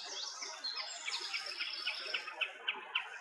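A Common snipe gives sharp, clipped notes, repeated about every third of a second and growing louder toward the end, over a faint chorus of other birds.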